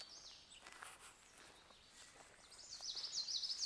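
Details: Common Yellowthroat singing in the field in Southeastern Ohio, its song rendered as witch witch witch witch: faint, rapid, repeated high rolling phrases at the start and again louder near the end, over steady outdoor noise.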